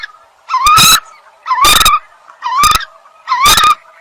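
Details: Eurasian coot calling loudly, four abrupt honking notes with a rising nasal start, repeated about once a second against a quiet background.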